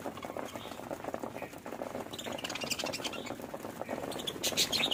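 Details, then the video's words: Happy budgies, described as singing and playing, chatter in a dense, scratchy warble of rapid clicks and buzzy notes, with brighter high chirps building toward the end. "budgies chirping"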